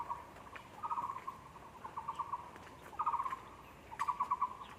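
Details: Taiwan barbet at a zoo, recorded 24 February 2020: short bursts of rapid, evenly pulsed hollow notes at a steady mid pitch, each burst about half a second, repeated roughly once a second, with faint background murmur.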